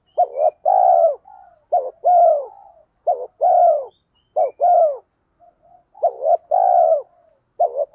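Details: Spotted dove used as a lure, cooing rapidly like a sewing machine to draw wild males to answer: dense run of short double notes and drawn-out buzzy coos, repeated steadily with brief gaps.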